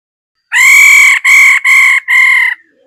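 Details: Female laughingthrush gives four strong, level, nasal notes in quick succession. The first is the longest and the others are slightly shorter, all evenly pitched and full of overtones. The background is otherwise quiet.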